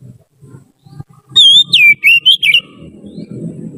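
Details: A trained Oriental magpie-robin used for tutoring young birds sings a short burst of bright, swooping whistles over a steady low rumble and faint knocks.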